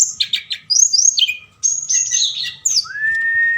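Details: Night lure song of a forktail meant to excite other birds into answering; bursts of high, twisting whistles and trills separated by short pauses, ending in a sustained steady whistle.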